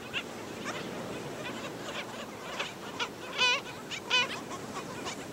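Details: Black skimmers at a beach colony at St. Pete Beach, Florida, while adults attack and kill a chick: two loud, nasal, barking yaps stand out against a steady chorus of fainter yapping calls from many birds.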